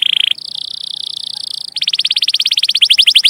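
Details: Rolling canary song used to teach young canaries: a buzzy trill shifts to a steady higher trill, then breaks into rapid pulsed chirps that get louder.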